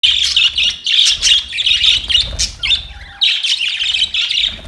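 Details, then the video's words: Budgies recorded 25 October 2023 while fighting: dense, scratchy high chirps and squawks in rapid overlapping bursts, with a short pause near the three-second mark, and a faint low rumble underneath. "Budgies chirping sounds | Budgies fight"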